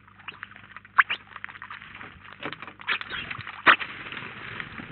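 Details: Flocking house sparrows at a Collado Villalba feeder in Spain give a continuous murmur of chirps, with two loud abrupt calls standing out near the first and fourth seconds.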